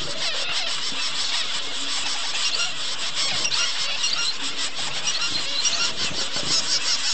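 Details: Double-barred finches, adults with chicks together: a steady wash of high, buzzy, squealing calls throughout, with a low rumble underneath.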